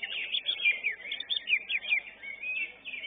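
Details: Greater green leafbird singing at a bird singing competition, where it placed fifth in its class. A rapid, busy run of varied chirps and short slurred whistles follows without pause, falling and rising in quick succession.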